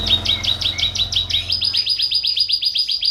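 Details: Canary singing gacor: a series of quick chirped notes over a low background hum, changing after about a second and a half into a clean, higher, evenly repeated trill.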